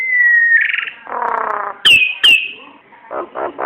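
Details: Nias hill myna singing as a lure for other birds: a long, slowly falling whistle, a buzzy warbled passage, two sharp high notes, then soft throaty buzzes.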